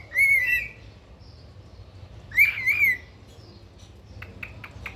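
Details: Pet cockatiel uttering two strong whistled calls with a wavering, slightly warbled contour, followed by a few soft short clicks and chirps in a quiet room.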